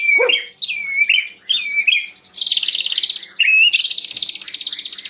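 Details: Loud, varied song of a white-rumped shama: rich slurred whistles, a swooping note that drops low, then harsh, buzzy rattling phrases with strong trills, delivered without pause.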